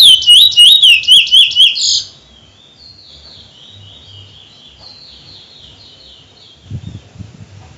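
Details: Trinidad bullfinch opens with two seconds of loud, rapid, looping whistled notes, then trails into a soft, faint high warble; low thumps near the end.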